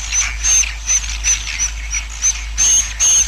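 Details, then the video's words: Roosting swiftlet colony, a sound meant to draw swiftlets in and speed colony growth: short buzzy chirping bursts repeated rapidly, about three per second, each with a thin piercing whistle on top. "SUARA INAP KOLONI WALET"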